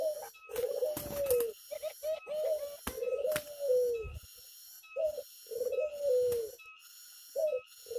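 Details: Tame Zebra dove in the open air, cooing repeatedly: low, rolling phrases that sag in pitch, each about a second long, coming in quick bursts with short pauses, against a constant high-pitched background tone and occasional clicks.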